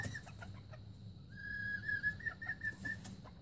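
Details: Young red junglefowl recorded in 2019, giving a thin, wavering whistled note held for about a second and a half, breaking into short pulses at the end, over faint low background rumble.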